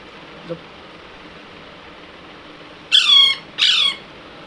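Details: Baby Alexandrine parakeet giving two harsh, rasping squawks in quick succession after a quiet stretch, each with a slightly falling tone, indoors.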